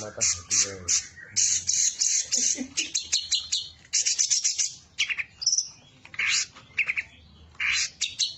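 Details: Long-tailed shrike, a champion competition singer, delivering a varied mimicry-filled song meant to goad rival birds into song: loud harsh squawking bursts mixed with high chattering trills and whistled fragments, with pauses between phrases.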